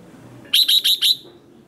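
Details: Short competition song phrase of a red-whiskered bulbul, sung to stir rival birds: four rapid, clear whistled notes in quick succession, then silence.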